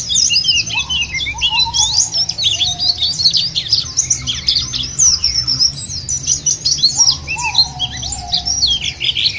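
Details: Long stretch of white-eye lure song, intended to spur caged white-eyes into singing: dense, rapid high twittering in waves, with occasional lower drawn-out whistles and a low hum underneath.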